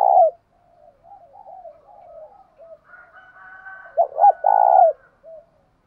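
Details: Spotted dove calling with the thổ sấm voice style to rouse decoy birds. It opens on a loud coo, then soft, wavering low notes. A strong double note and a drawn-out burring coo follow.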